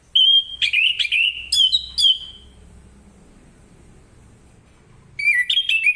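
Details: Orange-headed thrush singing ngeplong style in the morning to set other birds singing; two bursts of rich whistled warbling notes separated by a few seconds of soft background hiss.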